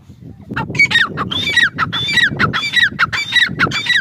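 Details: Grey francolin, female, calling in a rapid chain of harsh descending notes over a noisy low rumbling background.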